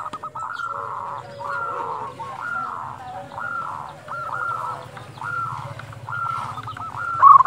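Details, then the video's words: Lively local zebra dove giving its dusk call, used to stimulate and excite silent or stressed doves: a steady series of soft mid-pitched cooing phrases, each with a short rolling ending, repeated about every second. "perkutut lokal gacor panggilan waktu senja 100% ampuh untuk pancingan masteran"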